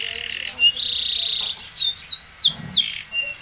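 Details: Spanish Timbrado canary singing: a buzzy sustained rattle, then bright falling whistled sweeps and a short trill, with a soft low thump partway through.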